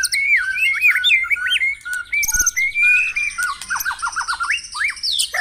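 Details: White-rumped shama song played in the morning to stimulate caged birds to sing: loud, varied whistled phrases with sweeping upslurs and downslurs, a rapid descending series of notes near the end, and thin high trills layered above.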